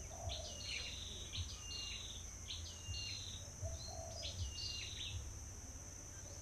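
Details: At the start of the season, as birds arrive in crowds at a trapping site, a bulbul gives quick, bright whistled notes with hooked, slurred ends, repeated in bursts, over a steady high insect whine and a low hum.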